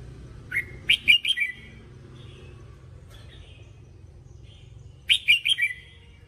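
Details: A red-whiskered bulbul in voice training gives two short bursts of bubbly, warbled whistles, each phrase four or five quick notes, about four seconds apart over a faint low hum.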